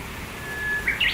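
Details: Japanese bush warbler in satoyama countryside, one of a pair calling to each other: a long, level whistled note ending in a brisk, higher two-part flourish, clear against quiet surroundings.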